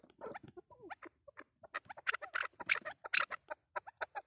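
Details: Chukar partridge calling: irregular bursts of short, harsh clucking notes that grow louder and denser, with brief gaps between the groups of notes.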